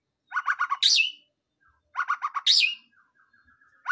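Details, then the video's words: White-rumped shama singing a full song: quick bursts of four or five buzzy stuttered notes, each burst capped by a loud harsh sweeping note, repeated about every two seconds with soft whistles between. "BURUNG MURAI BATU FULL ISIAN"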